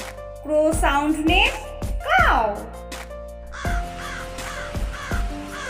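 A crow gives three or four harsh, rising-falling caws in quick succession, followed by a voice speaking over soft background music.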